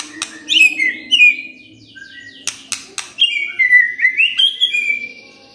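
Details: Morning song of a white-rumped shama, played to prompt a silent bird to reply: loud whistled phrases sliding down then rising, each opened by sharp dry clicks, with short pauses between.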